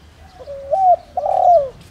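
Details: Spotted dove decoy calling in the 'đồng rặc' voice to draw in wild doves. Short stretch with two mellow, hollow coos, the second longer, swelling, then fading downward.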